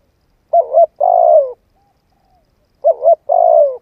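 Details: Spotted dove cooing used to train a decoy: two phrases roughly 2.3 seconds apart, each a wavering double-noted coo then a longer burry coo gliding down, over clean silence.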